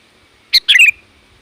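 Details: One loud sooty-headed bulbul call for attracting wild bulbuls: a sharp clipped note then a rapid, bubbling phrase that slides downward, heard once against near silence.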